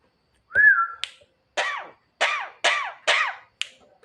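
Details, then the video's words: Javan myna at night, singing to call its mate: a sliding whistle followed by five loud harsh down-curving rasps spaced about half a second apart, ending with a click. "burung jalak kebo gacor malam - malam panggil mamake cewe"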